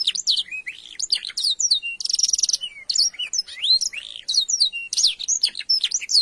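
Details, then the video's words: Canary giving varied isian-style song used as a tutor recording for training other birds, with long continuous delivery: rapid mixed whistles, sweeping slurs, buzzy rattling trills and sharp chips flowing without pause. "Masteran Burung kenari isian |Suwara gacor nembak panjang"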